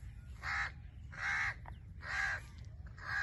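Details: A turquoise-fronted (blue-fronted) amazon parrot (Amazona aestiva) gives four harsh, raspy squawks, each under half a second, spaced nearly a second apart, over a low background rumble.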